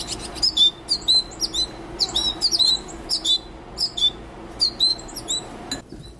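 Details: Young wild birds in care calling for food during hand-feeding: sharp, high chirps in clustered bursts about every half second, several nestlings overlapping, over a low room hum.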